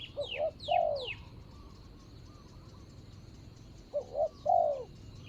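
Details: Spotted dove used as a decoy to lure a rival, dated 24/01/65: two mellow coo phrases about four seconds apart, each two short notes leading to a long falling coo; another bird adds fast descending whistles at the start.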